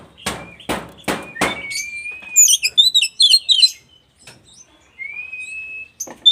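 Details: Oriental magpie-robin, West Javan type, singing a song that makes other magpie-robins emotional; several loud tapping knocks start, then a long rising whistle, dense high chattering phrases, and a second slurred whistle.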